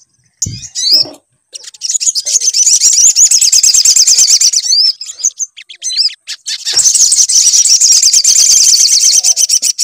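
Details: A sunbird sings in this lure recording meant to set off another bird: after a few curled whistles comes a long fast high trill, a short pause, then a second extended trill to the end.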